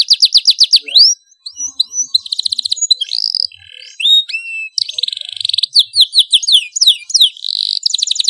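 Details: Loud domestic canary tutor song: quick pulsed trills, a brief pause, then mixed slurred whistles, buzzy rolls and rapid repeated notes.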